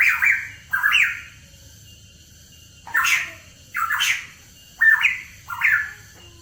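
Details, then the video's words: Hooded pitohui singing on a songbird lure recording: two harsh, slurred notes, a pause of nearly two seconds, then four more rasping, whistle-edged notes in an uneven rhythm. "PANCINGAN PITOHUI KEPALA HITAM"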